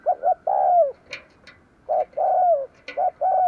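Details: Spotted dove used as a lure bird for attracting wild doves, cooing repeatedly: brief hollow notes leading into drawn-out falling coos, with faint clicks and rustles between phrases.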